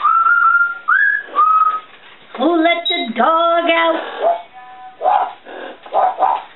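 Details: Female African grey parrot kept as a pet, chatting to herself indoors: clear whistled notes, a rising slurred whistle, then harmonic, speech-like chattering phrases in short bursts.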